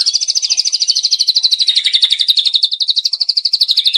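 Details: White-rumped shama, a young bird, delivering a fast, even trill of high chirped notes, about three per second, steady in pitch and loudness for four seconds.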